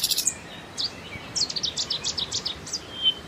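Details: Common nightingale repeating a series of high, thin, descending notes at a steady pace over a faint background hiss, ending with a drawn-out whistle.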